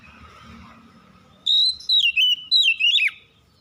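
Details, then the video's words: Oriental magpie-robin at dusk: a crisp series of five whistled notes, the first long and level, the rest bending and dropping, ending abruptly into silence. "KICAUAN BURUNG KACER DIKALA SENJA"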